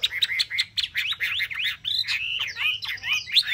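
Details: Caged Chinese hwamei, a bird kept three months in a cage, singing a rich, varied song of loud whistled phrases that swoop up and down, with rapid repeated slurred notes and quick changes of pattern throughout.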